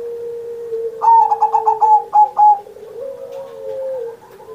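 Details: Singing zebra dove (perkutut) recorded on Indonesia's 79th Independence Day as a training master for pet doves; a single phrase of rapid pulsed coos ending in two separate notes over a steady low hum.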